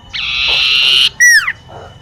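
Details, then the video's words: Common iora in a garden near a home: a flat, buzzy trill of about one second, then a single clear whistle that slides steeply downward. The song is actively trilled. "siulan burung cipoh"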